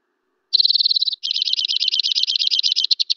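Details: White-winged Crossbill song, more powerful and far-carrying than Red Crossbill's: a fast, high, even trill that breaks into a louder, buzzier, rattling trill lasting about two seconds, with no other sounds.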